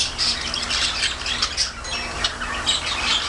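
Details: Budgerigar giving a steady stream of harsh squawks and scratchy warbling chatter, bright and high-pitched, with short louder bursts throughout and a faint low hum in the background.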